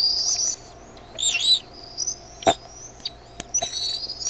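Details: Bald eaglets begging in a nest as the mother brings in food, calls getting noisier; high thin whistled and squealing notes, some drawn out and wavering, in short bursts with gaps and a few clicks.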